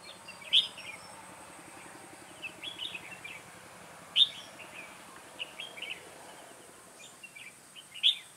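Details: Decoy red-whiskered bulbul during a trapping session on 2 October 2018 gives bright, piercing notes spaced several seconds apart, linked by soft, twittering fragments, with faint outdoor hiss throughout.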